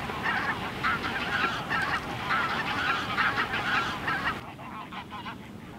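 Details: In winter in Germany, a flock of a few thousand greater white-fronted geese in an open field gives a dense chorus of high, yelping honks, about two a second, before fading to quiet near the end.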